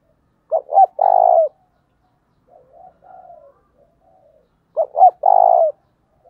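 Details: Spotted dove used as a lure for wild doves, 'thổ' voice: two full coo phrases, each two clipped notes and a prolonged trilling note, separated by quiet, low warbling.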